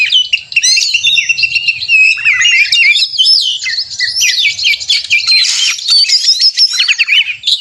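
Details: Agitated Oriental magpie-robin giving a 'narung' fighting song to provoke rivals into sound and display; crowded stream of bright whistles, quick trills and buzzy notes, with one harsh raspy burst midway, continuous throughout.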